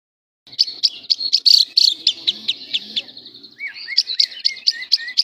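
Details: Lovebird singing in the semi-konslet style, which is used to tutor other lovebirds: a fast run of high, sharp chirps that later shift to rising squeaky notes, with a faint murmur in the background.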